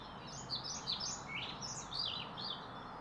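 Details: A European pied flycatcher near Pilisszentlászló sings bright, high, quick phrases of sweet rising and falling notes, roughly one burst a second, over a faint steady hiss.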